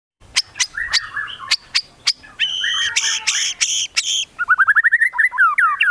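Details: White-rumped shama (Copsychus malabaricus) in full song, with imitations of other birds: a fast, varied song of sharp clicks and warbled phrases, ending in a quick run of a dozen falling whistles.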